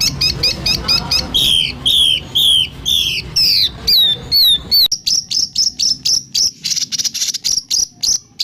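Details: White-rumped shama 'tembakan' used to stir caged birds into singing. Stacked whistled notes glide downward in a slow, regular series, then change to harsh buzzy high bursts repeated about twice a second.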